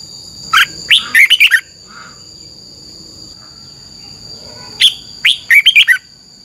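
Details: Caged Red-whiskered bulbul from Thailand giving its double-phrase training song. Two phrases about four seconds apart, each a sharp note followed by a quick cluster of bubbly, descending whistles, with a persistent high electronic tone.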